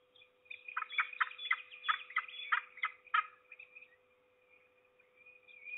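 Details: Peregrine falcon at Trzebież, 6 May 2019, around 07:28, gives a fast, harsh run of about eight grating notes, three or four per second, then trails off into fainter calls over a steady electrical hum.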